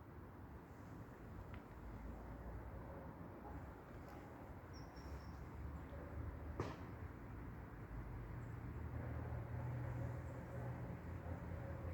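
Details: A steady low rumble like distant traffic or a passing train fills the recording, broken by a single sharp click, with no clear animal calls.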